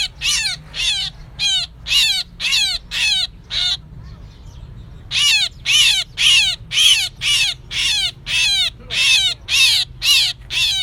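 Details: Myna lure recording for trapping, 2024, made of rasping, screechy calls with falling tones repeated about twice a second. A short silent gap interrupts the series before the calls resume steadily.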